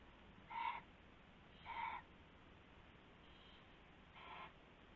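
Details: Predawn owl activity on 19 February 2016 around a rabbit being taken: four short raspy bursts roughly one second apart, the last two fainter, over a low steady hiss.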